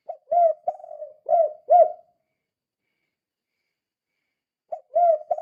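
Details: Spotted dove, call meant as a lure for other doves, delivers a phrase of low arched coos within two seconds, falls silent, then begins another phrase near the end.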